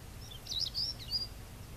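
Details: African stonechat (Saxicola torquatus) call: a quick burst of thin, high, scratchy notes over about a second, with a low steady rumble of background noise underneath.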